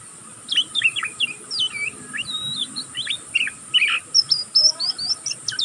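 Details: Learning juvenile oriental magpie-robin produces a nonstop ngeriwik twitter: dense runs of sharp, jumpy chirps and short descending whistles. The phrases rise to thin, very high notes at the close.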